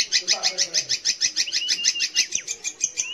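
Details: Long-tailed shrike singing, played to coax young or non-singing shrikes to sing: a fast, regular series of harsh chattering notes roughly three per second, with short slurred whistles woven in.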